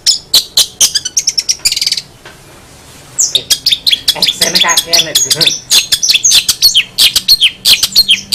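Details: Long-tailed shrike singing a fast, irregular run of sharp high chirps and clicks, broken by a short hiss-like pause after two seconds. Tumbling, varied notes follow, with faint voices in the background.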